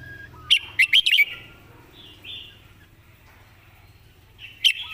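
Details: Song-tutor red-whiskered bulbul with clear, well-phrased song: a lively phrase of four or five bright warbled notes, a quiet gap with soft background chirps, then the start of another phrase.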